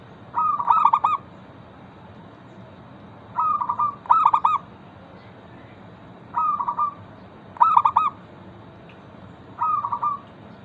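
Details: Zebra dove of a local type singing actively as a lure for other zebra doves: seven short trilled coo phrases in loose pairs, soft then louder, repeating every few seconds above a low background hum.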